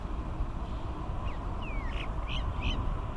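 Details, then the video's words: Crested mynas, chicks and adults, recorded in 2019, give about five short, squeaky calls, including a drawn-out sliding whistle, in the second half, over a steady low rumble. "Crested Myna 八哥鳥ヒナと成鳥"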